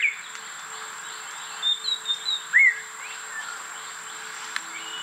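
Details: A White-rumped shama in rainforest at Cat Tien National Park, Vietnam, seemingly trying to start a proper song: four thin, high whistles, then one louder, lower slurred whistle, over a steady high insect-like drone and a faint low hum.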